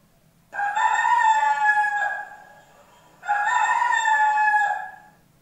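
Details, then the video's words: A rooster's crowing is played back in a primary-school lesson about animals, and the rooster is said to crow in the morning. Two strong, evenly sustained crows, each about one and a half seconds long, are separated by a short quiet gap. "Yah betul itu suara hewan ayam jantan"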